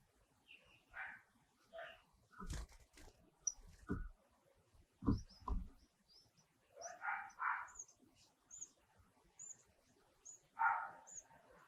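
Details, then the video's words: Wild nestlings in the nest being fed by a parent while the other adult stands guard: short bursts of harsh, noisy chattering begging, with thin high chirps in between and several sharp clicks and knocks. "Wild Bird mom feed their baby"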